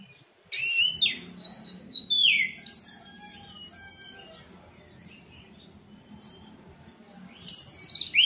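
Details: Orange-headed thrush song used as a lure to get a silent caged bird singing: bright whistled phrases with sweeping, falling slurs and high sharp notes in two bursts, a quiet gap between, over a low steady hum.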